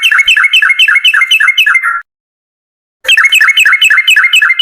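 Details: Yellow-vented bulbul in energetic, long rapid "ropel panjang" song, used as a lure to prompt other bulbuls to sing: fast run of loud, bubbly, repeated chattering notes, a one-second silence, then the same rapid run again.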